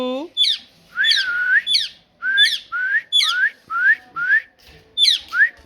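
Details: Talking parrot repeating clear whistled syllables, each sliding upward and often trailing into a brief higher chirp, about two per second with short gaps.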